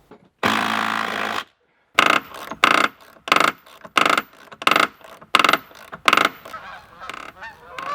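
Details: Canada geese give a quick run of loud nasal honks, about two a second, after a second-long burst of rushing noise.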